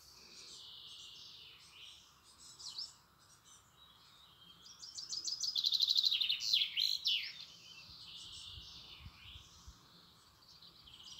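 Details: European robin singing high, thin warbling phrases with rapid trills and tinkling notes, rising to a louder, denser burst midway before softening again, over a steady low background hum of outdoor noise.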